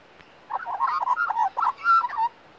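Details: A young Australian magpie, a female raised from a chick, sings beside a person in a garden: a rich, fluty warble of quickly changing mid-pitched notes rising and falling over about two seconds.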